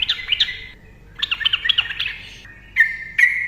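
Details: Yellow-vented bulbul singing as a lure for silent trucukan: two short bursts of bubbly, warbled chirps, followed by a couple of clear, sharp whistled notes near the end.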